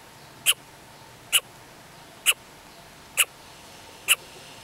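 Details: Greater coucal chick fallen from its nest in a garden in Isaan, Thailand: five short sharp chips, spaced a little under a second apart, against a quiet background.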